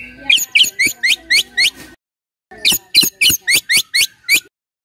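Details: White-rumped shama giving high, sharp down-slurred whistles in quick succession, two short bursts of about six notes each separated by a brief silence.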